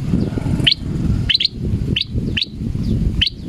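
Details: Male sooty-headed bulbul, scared while hanging at a cliff edge, utters single and doubled bright chirps roughly every half second over a dull rumbling wind background.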